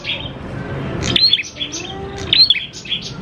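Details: Prinia song used to lure prinias: a soft opening chirp, then two short bursts of high, bright notes with a sharp rising whistle, about a second apart, over low background noise.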